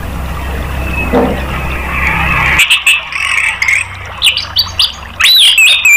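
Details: Orange-headed thrush (anis merah) therapy song meant to set off singing in caged birds. Faint whistling sits over low noise at first, then the song builds in the second half into varied loud, looping whistled notes.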